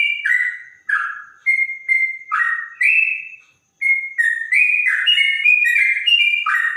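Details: Bright whistled trotok song, its clear voice compared to a straw-headed bulbul. Short phrases of stepped, slurred notes are separated by pauses, including one near-silent gap, then a longer fluent run.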